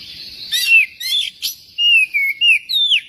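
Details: Magpie-robin song used as a prompt for singing: harsh, buzzy chatters followed by clear whistled notes that rise and fall in smooth slurs, about six loud phrases in three seconds.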